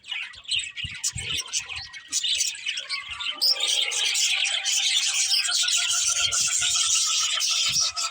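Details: Budgerigars chattering, starting with scattered chirps and soft knocks, then swelling into a loud, steady wall of high buzzy warbling and squeaky tweets from several birds at once.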